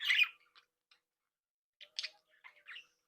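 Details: Budgerigars in a captive breeding flock: one loud harsh squawk, then near silence, followed by a few soft scattered chirps and a short warbled phrase.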